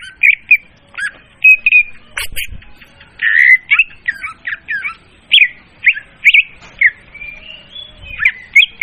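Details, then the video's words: Leafbird lure call for trapping, clear and loud: varied whistled phrases with twittering runs and occasional sharp clicks, delivered in irregular bursts through the passage. "suara pemikat burung murai daun||suara jernih dan volume keras."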